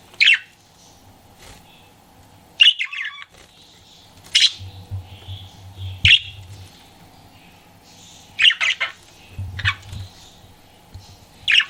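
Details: Pet budgerigar flirting, giving sharp high chirps in short bursts at irregular intervals of about one to two seconds, with quiet gaps between them and a faint low hum underneath.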